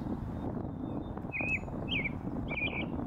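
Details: Leucistic American robin on a post in a northern US oak savanna, giving three short slurred, warbling phrases spaced about half a second apart, against loud low rumbling noise and a faint thin whistle.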